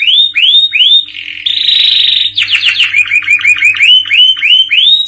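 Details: Canary in full, continuous song in the current 'cengkok kekinian' style. Rhythmic arched whistles lead into a loud buzzy stretch, then a rapid falling tour and more quick looping notes.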